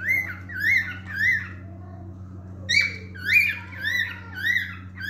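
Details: Male cockatiel sings a series of looping whistled phrases, three then a pause, then five more in steady rhythm, each swooping up and down, with low background hum.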